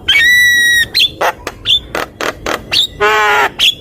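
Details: Javan myna master song: a long flat whistle, then sharp clicks and short whistles at irregular intervals, and a harsh buzzy rasp near the end.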